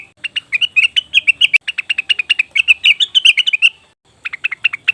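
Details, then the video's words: Cucak wilis (leafbird) lure call used to attract wild birds: rapid series of sharp chirps around a steady pitch, fast rattling bursts for nearly four seconds, a short pause, then another quick burst. "pancingan burung cucak wilis/rengganis dijamin langsung bunyi"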